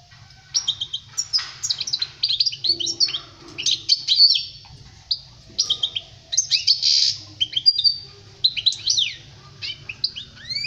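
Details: European goldfinch song used for teaching young birds to sing: a rapid, continuous twittering of bright chirps and quick rising and falling slurred notes in irregular bursts, with a faint low hum underneath.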